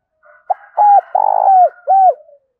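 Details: Spotted dove decoy calling to draw in wild doves: a soft lead-in, a short note, then three rounded coos, the long middle one rough at onset, the last sliding down, with faint background hum.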